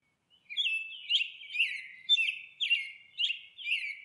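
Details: Monk parakeet at its nest, giving harsh, buzzy chattering calls in a steady series, about two per second, each a short screechy burst with a falling tail; no other sounds stand out.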